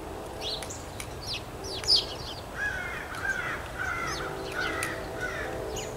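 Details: Blue jay in a real-time outdoor recording with no music added, giving a series of harsh, slurred calls repeated several times, mixed with sharp higher chirps from other birds and a broad background hiss.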